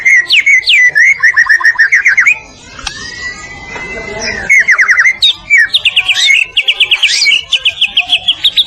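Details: White-rumped shama from Medan singing a training song for other birds; rapid repeated trills and chattering notes in long runs, a drawn-out whistle in the middle, and a varied high fast phrase at the end.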